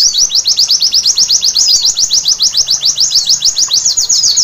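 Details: White-eye singing at night, recorded as a therapy to make birds sing vigorously: a fast, steady series of high, sharply down-slurred whistled notes, about four per second, running through the whole stretch over a faint low background hiss.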